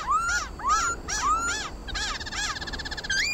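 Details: Khướu mun laughingthrush in fighting song, played to prompt pet birds to sing: four arched whistled notes rising then falling, followed by a rapid rattling trill and a final high whistle.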